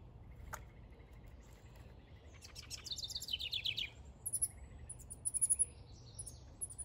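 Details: Backyard house wren, a male working on a nest: a short buzzy, slightly descending trill mid-clip over a faint steady high tone, followed by scattered thin, very high chirps and soft ticks.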